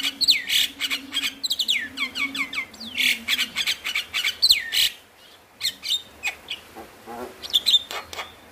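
A myna sings a busy run of slurred, downward whistles mixed with harsh squawks and chattering notes, in quick bursts with a brief pause midway.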